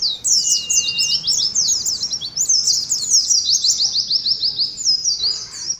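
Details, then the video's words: Continuous high, excited twittering of Oriental white-eyes in 'ngalas' contest song, with fast-repeated sharp down-slurred notes and a short level whistle near the start. "TERAPI ADU NGALAS SAAT KOLONI PLECI"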